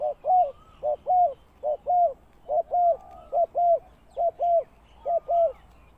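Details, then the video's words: Spotted dove kept as a ground decoy for trapping wild doves, cooing clearly in steady paired phrases, a brief coo followed by a fuller drawn-out croo, six pairs in six seconds, with faint thin whistles from other birds. "The Cu Gáy Mồi Đất"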